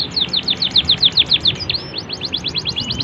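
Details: Canary singing a cengkok master phrase to teach young birds: a fast, even series of high falling notes, a long rising whistle in the middle, then more repeated notes at a slightly quicker pace.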